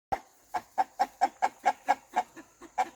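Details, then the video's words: Rooster clucking in a farmyard: a steady series of short, clipped clucks, about a dozen in three seconds, evenly paced with brief quiet gaps between them. "Rooster Clucking"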